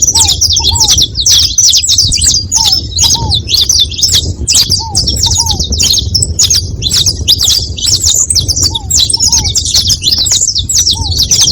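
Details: Flock of saffron finches chattering at once: steady, unbroken high-pitched twittering and chips for over ten seconds, interrupted by paired lower falling whistles at intervals, over a low background hum.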